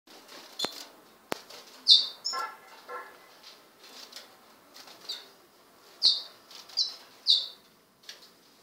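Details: Two 16-day-old lesser goldfinch chicks of the subspecies jouyi begging: thin, sharp, high-pitched calls given singly and in quick clusters, several seconds apart, with soft rustling and a couple of clicks between.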